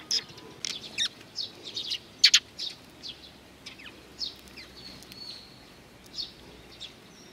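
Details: Several Eurasian tree sparrows arrive to be fed at a bridge on 4 June 2020; bright, short, high chirps come in uneven bursts, loudest as a quick double note near the middle, with a quiet background.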